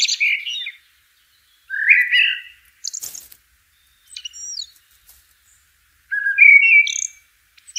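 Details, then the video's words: Wild blackbird song, short mellow warbled phrases separated by silences of about a second, some ending in squeaky high twitters, one brief dry rustle midway. "sounds of the Blackbird bird in nature"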